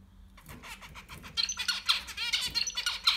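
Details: Zebra finch chicks, six in a nest during breeding; after a quiet start, a rising chorus of harsh, buzzy, rapidly repeated squeaky calls that builds louder toward the end.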